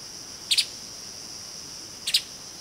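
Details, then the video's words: Streaked spiderhunter (Arachnothera magna) giving two sharp, high double chips about a second and a half apart, over a steady high insect-like hum. "Tiếng chim Hút mật Bắp chuối đốm đen"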